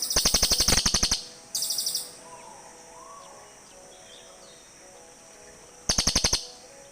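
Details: Cililin birds calling back and forth to each other: loud, rapid, buzzy pulsed trills of about ten sharp notes each, one burst after another at the start, then a quiet stretch before a final burst.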